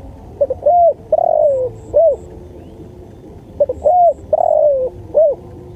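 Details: Spotted dove singing, a master recording used for training songbirds: two phrases of soft low coos, each a short note, a longer arched coo and a drooping final coo, about three seconds apart, with faint high ticks.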